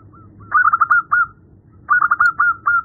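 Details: Female zebra dove calling the male: two quick stuttering phrases of bubbling, rolling coos separated by a pause, over a faint low hum.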